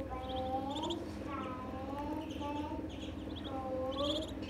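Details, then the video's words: Baby ducks call in clusters of shrill, high peeps alternating with longer rising whistles, about three bursts over a few seconds, against a constant low droning background. "Relaxing with baby ducks sounds"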